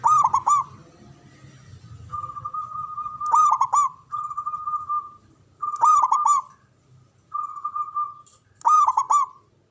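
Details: Loud local zebra dove from Java, used as a lure and to calm stressed birds. It gives repeated rolling coo phrases roughly every two to three seconds, each of quick stuttered notes, some trailing into a sustained hum-like tone.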